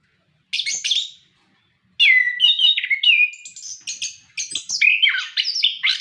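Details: Energetic orange-headed thrush song meant as a prompting recording for captive birds: a short whistled burst, a pause, then a continuous stream of varied clear and rasping phrases sliding up and down.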